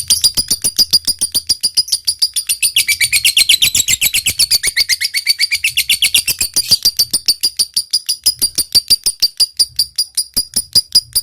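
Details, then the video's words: Long ngekek from a lovebird: an unbroken, fast chattering trill of shrill notes lasting over ten seconds, fullest in the middle and thinning toward the close, over a faint low hum. "suara lovebird gacor ini SANGAT DI REKOMENDASI untuk MENJADIKAN lovebird gacor NYAUT NGEKEK PANJANG"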